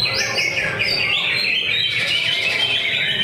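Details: Greater green leafbird singing at a weekly Friday practice bird-singing contest; loud, continuous high whistled phrases with sliding notes and rapid chattering trills, other contest birds singing densely alongside.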